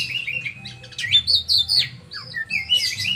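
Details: Oriental magpie-robin kept as a songbird, pouring out loud varied phrases of sweet whistles, downward slurs and scratchy chatter, each burst lasting under a second, with steady faint background hum.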